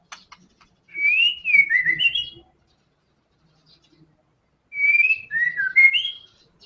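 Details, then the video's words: Energetic white-rumped shama in 'tembakan' song style, giving two clear whistled phrases of rising and falling slurred notes, each about one and a half seconds long, separated by a silent gap of about two seconds. "TEMBAKAN MURAI BATU GACOR BONGKAR SEMUA ISIAN FULL FIGHTER"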